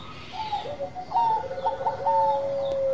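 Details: Bangkok-type zebra dove in active song: a few short coos and then a long, level drawn note, softer and set against a hissy background.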